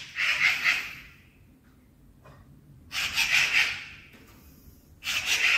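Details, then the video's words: At night, a magpie gives harsh, rasping chatter, possibly a warning call, in bursts of about a second, repeated every two to three seconds, with quiet pauses between. "Magpie Chattering at Night"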